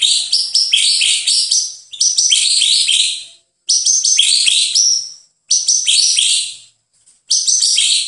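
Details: Master recording of White-rumped shama song for training birds. High, bright chirping and whistled phrases pour out in long runs of about two seconds, broken by brief pauses.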